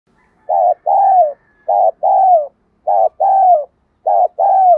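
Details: Spotted dove used as a decoy, cooing to lure wild doves. Four paired coos, each a short clipped note followed by a longer, gently falling coo, repeated about every 1.2 seconds with clean silence between.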